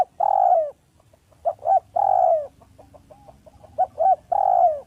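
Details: Spotted dove from a village, a smooth clear lure call: long mellow coos alternating with pairs of short coos, soft clicking notes in the gaps, three long coos in total.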